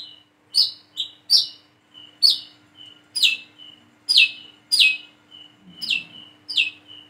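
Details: Single plain-throated sunbird, called wiceh or kolibri kelapa, learning its calls: high descending chirps linked by thin steady whistles, gaining regularity toward the end.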